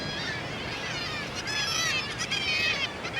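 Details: At a Scottish seabird cliff colony of tens of thousands of pairs, many Black-legged Kittiwakes circling in flight give overlapping nasal, wavering "kittiwake" cries over a steady roar of surf, tide and wind.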